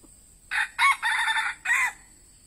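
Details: A red junglefowl decoy, set out to lure wild birds, crows once: short harsh first note, louder second, an extended grating middle phrase and a descending final syllable, the whole call roughly one and a half seconds long.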